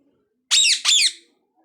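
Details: Parrot giving two harsh, raspy squawks in quick succession, each sliding down in pitch, in an otherwise quiet room.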